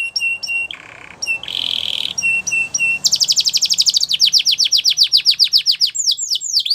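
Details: Belgian canary singing a training song: high repeated two-note chirps, a short lower buzzy rattle, a harsh buzzy roll, then fast rising-falling whistled trills repeated several times a second, with faint low hum behind.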